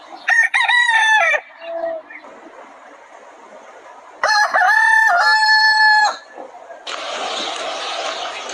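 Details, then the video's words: Two crows from roosters on a chicken farm, each about one to two seconds of loud harmonic crowing with a stepped held note, separated by quiet farm background; a burst of broad hissing noise follows at the end. "The Rooster's Crow: The Sound of a New Beginning"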